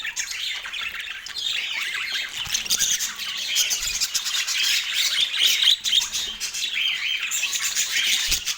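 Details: Several pet parakeets during autumn morning feeding, their busy chatter of rapid scratchy notes and short squawks running nonstop, roughly four notes a second, in irregular bursts.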